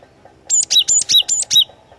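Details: Cinereous tit (glatik watu) singing loudly, a lure bird used as a tutor for other songbirds: six rapid, evenly spaced two-part whistled phrases, a high note dropping to a lower slurred one, over faint background hum.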